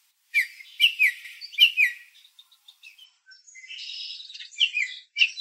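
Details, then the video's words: Baltimore Oriole in a backyard, drawn by grape jelly; a few slurred whistled chattering notes, then softer high chips and a burst of scratchy chatter near the end. "What Does an Oriole Sound Like? - Baltimore Oriole Bird Call and Sounds"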